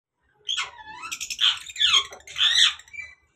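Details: A captive African grey parrot, described as a breeding bird's mating call, gives three harsh, wavering squawks with rising and falling whistled edges, spread over about two and a half seconds.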